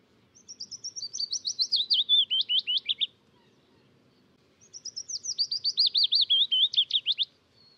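Willow Warbler singing two soft, high, descending phrases of about three seconds, notes rapid at first then slowing to a drawn-out end; faint low rumble beneath.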